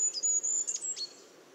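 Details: Brief fragment of Goldcrest song: a few extremely high, thin notes and a short twittering flourish, then quiet hiss.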